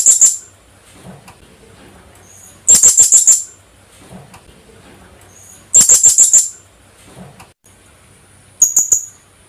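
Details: Kulasisi, the Philippine hanging parrot, calling in quick shrill bursts of four to six sharp, very high notes, each burst about three seconds apart, with soft rustling between.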